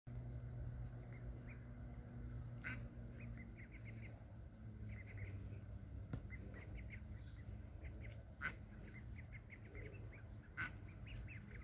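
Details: Duck family recorded on 26 July 2021, short nasal quacks repeated in quick irregular runs, some bursts louder, over a steady low engine-like hum.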